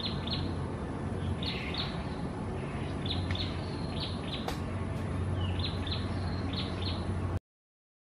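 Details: Two wild lesser whistling ducks at Gardens by the Bay in Singapore, where they breed uncommonly, give short high whistles grouped in twos and threes, with a sharp click midway, all above constant deep hum; the recording ends in silence.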